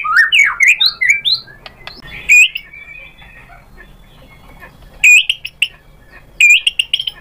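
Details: White-rumped shama, provoked into replying, delivers a rapid run of varied whistled phrases, then falls silent before giving two short, loud, sharp whistled bursts separated by pauses.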